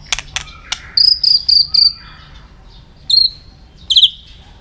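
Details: White-rumped shama song for stimulating other shamas to sing: a few sharp clicks, then a series of four high clear whistled notes, each under half a second, followed by two more spaced high whistles.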